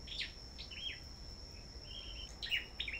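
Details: Sâu đầu đỏ singing contest at a bird farm. Sparse high chirps and thin, level whistled notes come and go, then a brighter twittering burst near the end. Quiet background hiss and a constant high tone.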